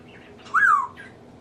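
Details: Household pet African grey parrot, male, a mimic of sneezes, laughs, burps and nose blowing; one loud rising-then-falling squawked whistle lasting about a third of a second, indoors in a small room.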